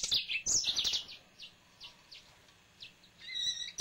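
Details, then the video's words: Home-kept male yellow-fronted canary opening with a bright cluster of high twittering notes, then softer scattered chirps and a faint trilling phrase near the end. "Finch Green Singer Song (Serinus mozambicus )"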